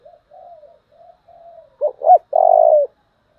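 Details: Spotted dove decoy bird with a strong, tense cooing voice in the 'giọng thổ' style. Several soft, low hummed coos build into two short loud notes, then one long drawn-out coo.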